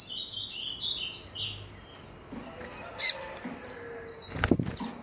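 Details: Female coleiro (double-collared seedeater) calling to excite males: a run of short high chirps and slurred whistles in the first second and a half, then sparser notes with a sharp click and a brief noisy thump near the end.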